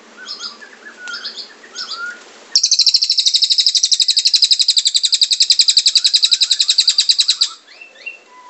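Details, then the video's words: A scarlet-headed flowerpecker in full song gives a very high, rapid trill of about ten sharp ticking notes a second for five seconds, with softer whistles from other birds before and after. "SUARA BURUNG CILILIN GACOR"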